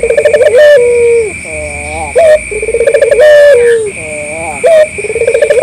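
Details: Local collared dove cooing as a lure for other doves to reply: trilled, throbbing coos each finishing in a smooth falling note, punctuated by short higher coos, several cycles in under six seconds; continuous high tone in background.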